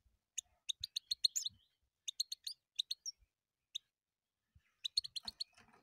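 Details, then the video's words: European goldfinch song of quick, bright, high chirped notes in clustered runs of four to six, separated by short pauses, with faint low rustling near the end. "Пение щегла."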